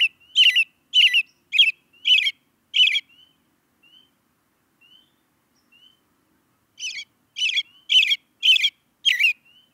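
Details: Repeated chirps from an American robin: a run of five sharp, descending notes, a quiet stretch with only soft thin whistles, then another burst of quick chirps repeated about twice a second.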